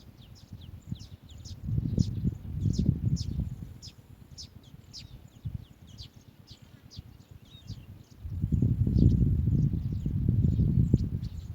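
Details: Asian green bee-eaters at the nest, adults bringing food to their young; thin high chirps repeat rapidly, about four each second, over loud low rustling and thumping that swells and fades.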